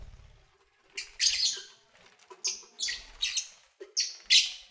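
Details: Pet lovebirds at play and feeding: a steady series of harsh, buzzy high squawks and chirps about every half second, with a brief low thump at the start.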